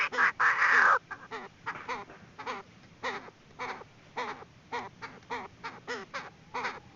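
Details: Female Chinese francolin decoy call for trapping, beginning with loud raspy bursts, followed by steady runs of short, curved, nasal notes about twice a second.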